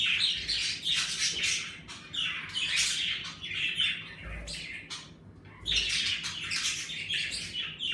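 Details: Indoor pet budgerigars, active now that it is getting warmer, give overlapping squawky chirps and warbling chatter in loud waves, dropping briefly near the middle before a fresh burst of many birds calling together.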